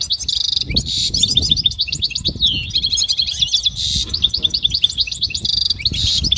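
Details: Goldfinch singing for training: busy, continuous twittering with buzzy trills and a descending slurred run, over steady low rumbling and thumping in the background.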